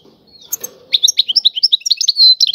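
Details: Goldfinch song in the tiwawati style. After a faint low rustle, a quick run of bright, high chirps and twittering notes follows, with a sustained buzzy tone near the end.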